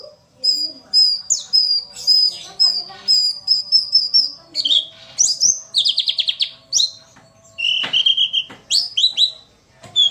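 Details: Female white-eye voice used to provoke lazy males into singing, as in the wild: thin high whistled notes in quick series, then buzzy descending bursts and sharp upward chirps, with faint low background hum.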